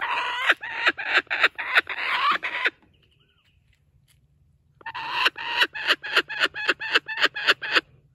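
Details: Laughing kookaburra at a wildlife sanctuary, delighted after stealing a joey's stuffed toy and refusing to give it up. Loud, rapid staccato laughing notes in two bursts separated by a short pause, each note harsh and broad.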